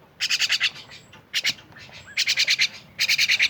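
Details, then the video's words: Myna giving harsh, rasping bursts of five or six rapid buzzy pulses, spaced by short pauses, with one brief burst in between; quiet background. "rame bersama burung jalak"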